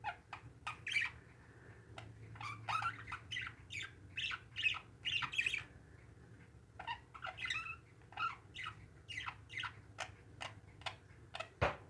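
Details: Domestic parakeets keep up a lively stream of squawks and chirping warbles with short pauses, ending in a sharp knock.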